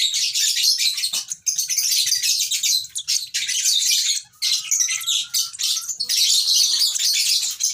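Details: Lovebird baby produces a continuous wash of shrill, hissy chirping, broken only by a few short silences.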